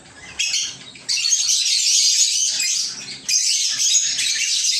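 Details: Lovebirds housed in a little aviary: after a near-quiet opening, a sudden loud burst of dense, high chirping chatter, a short dip, then another burst.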